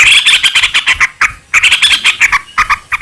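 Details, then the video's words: Lure recording of sooty-headed bulbul singing rapidly to provoke other bulbuls into answering: dense runs of clipped, chattering notes in quick succession, broken by a brief pause near the middle. "trucukan gacor ROPEL PANJANG buat pancingan trucukan agar bunyi jadikan burung trucuk gacor NYAUT"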